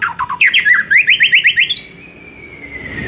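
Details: Shama master song to provoke a silent bird: a fast rattling trill of about fifteen bright notes climbing slightly in pitch, followed by a thin fading whistle and quiet background.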